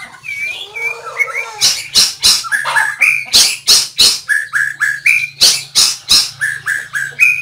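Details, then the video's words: White-rumped shama recorded 17 April 2024: clear whistled notes near mid-high pitch, some sliding upward, delivered in quick runs among loud sharp broadband clicks about three per second, with a low steady hum underneath. "noog quaj zoo # นกกางเขนดง"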